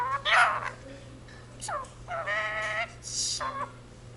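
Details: Indian ringneck parakeet kept at home, saying a Punjabi jaikara: a few strained, harmonic, speech-like syllables, one sliding downward, then a longer steady nasal syllable and a brief final word.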